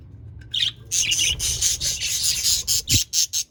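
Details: Budgies, the parrots, from Larkana, Sindh, chattering: dense buzzy, scratchy warbling with rapid harsh chirps. It breaks into short repeated bursts near the end, with a low thump partway through.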